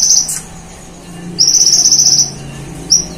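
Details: Konin, a sunbird, in full song mimicking cililin and golden grasshopper, for use as a training master: one high chip, a pause, then a long even buzzy trill and a final short note.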